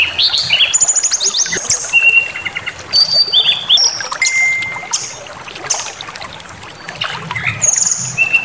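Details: Song of a white-rumped shama played to provoke anger and a full repertoire: bursts of sharp whistled notes, trills and long flat tones, alternating with quieter gaps and a faint hissing background.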